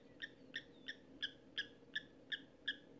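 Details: Giant kingfisher calling while eating its catch at Sunset Dam near Lower Sabie, Kruger National Park: sharp, harmonic kek notes repeated evenly, almost three per second, over a steady low background hum.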